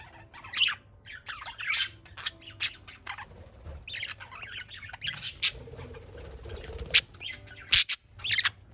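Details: Playful parakeets, eight free-flying birds kept indoors, three of them hand-fed, chirping loudly; bursts of bright chirps and harsh squawks come at uneven intervals, with a few sharp louder squawks near the end and soft flapping between.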